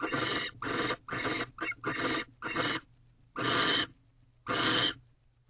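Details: A male barn owl tries to get the female interested in a new rodent in a nest box at dawn, 19 March 2023. A rapid burst of raspy hisses is followed by two longer, spaced screechy hisses.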